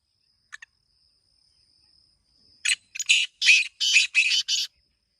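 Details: A black francolin, known locally as kala teetar, breaks a near-silent pause with a rapid run of about seven rasping, buzzy notes in quick succession, the middle ones loudest and longest.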